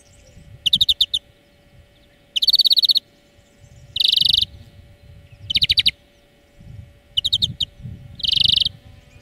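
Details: European greenfinch song lesson for training birds: evenly spaced bursts of fast trills alternating with dense buzzy rattles, about one burst every one and a half seconds, a constant faint hum behind.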